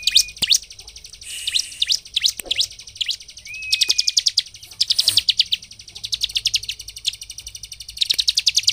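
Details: Bar-winged prinia (ciblek) in energetic song, played as a lure to agitate other prinias into singing: rapid bursts of sharp, high chipping notes with short gaps, plus a thin steady whistle tone at times.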